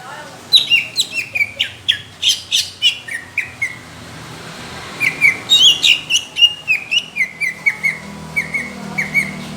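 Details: A greater green leafbird's judge-pleasing song of rough, thick bursts: quick, evenly paced downslurred whistles in two long runs separated by a short gap, with sharp clicking accents.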